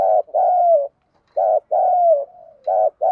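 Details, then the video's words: Decoy female spotted dove calling to draw in males, 'one-ending' style: two full paired coos, short then long and gently falling, followed by a soft trailing murmur and the start of another coo. "Tiếng cu gáy mồi thúc gù kích bổi chuẩn_Cu gáy mồi gáy gọi 1 hậu / Chim cu gáy mồi kích trống"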